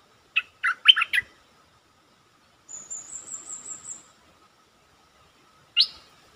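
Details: Lure song of a caged stripe-throated bulbul: a brief burst of four quick, bubbly notes, later a thin high insect-like whine, then one single rising note near the end, over a soft steady hum.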